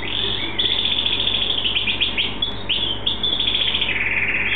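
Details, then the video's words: A pet canary named Leo sings a continuous, high, rolling warble of rapid trills and chirps, with quick slurred notes and brief buzzy rolls. "Singing Canary"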